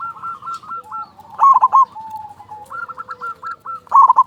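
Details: Local zebra dove song meant to stir other doves to sing: runs of fast rolling coos broken by loud bubbling notes, with softer doves cooing underneath.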